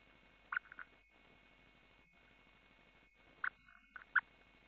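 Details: Montagu's harrier nest on 23 June 2015 as the female brings a mouse and feeds the young: a short burst of two or three sharp clipped notes, a pause, then another quick cluster, over a faint steady hum.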